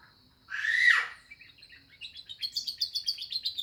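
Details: Canary with lovebird phrases: a loud harsh rising-and-falling squawk, then a quick string of bright chirps repeated about six times a second.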